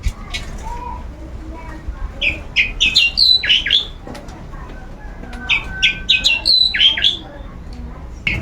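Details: Long-tailed shrike in a cage during its routine sunning, singing in two bursts of fast, sharp, high chirping notes separated by a quieter pause.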